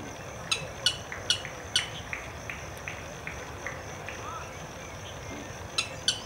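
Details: Blackish rail in a marsh in an urban park in Santo André, Brazil, giving sharp, clicking alarm notes: four in quick succession, a pause, then two more, over a steady high insect drone.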